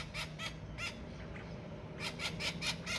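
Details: Harsh, noisy squawks from a baby Australian king parrot at Kincumber, three spaced calls, a pause, then a rapid run of five, over faint low background hum.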